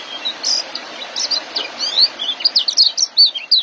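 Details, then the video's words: Young white-eye giving ngeriwik and joss song for training caged birds: fast, high-pitched twittering with sharp rising and falling chirps, delivered in quick uneven bursts throughout, growing busier toward the end. "Suara Ngeriwik dan joss kecial muda untuk masteran"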